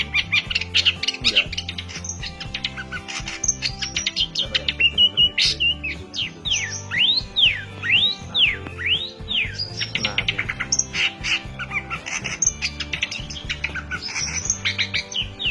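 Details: Long-tailed shrike (cendet or pentet) from Banyuwangi, Indonesia, singing continuously while held in the hand: varied high chirps, rising and falling whistled swoops, and rapid trills, with background music throughout.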